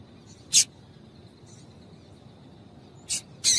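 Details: Female double-collared seedeater calling to prompt a male to sing: a single sharp, high chip, a long pause, then two more chips in quick succession, with faint hiss.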